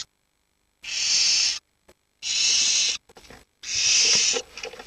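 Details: Barn owl chicks, nestlings aged 7 to 19 days huddled together for warmth while the parents are out hunting; three harsh, broadband hissing bursts, each under a second long, separated by brief silences and faint scratchy rustling.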